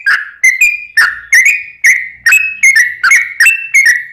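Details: Sooty-headed bulbul song used as a lure to make other bulbuls answer: quick bright whistled notes in short slurred pairs, repeated about every half second in a lively chattering run.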